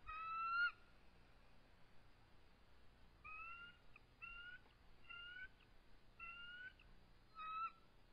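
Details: Two resident eagles at their nest on an evening in March 2014, calling during a territorial dispute with an adult intruder. Thin harmonic whistled notes, each slightly rising, come in about five short bursts spread over eight seconds against a quiet background.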